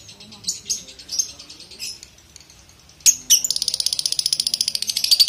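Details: Lovebird, a Balibu, in a training recording for young lovebirds: scattered high chirps, then from the third second a fast, steady run of rapid pulsed chattering notes held high, the long ngekek trill.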